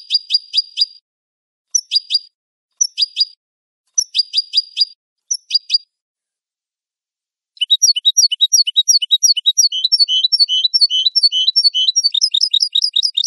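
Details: European goldfinch song recorded for training captive birds: short bursts of four or five bright repeated notes separated by pauses, then a fast continuous twittering run of varied chirps and trills.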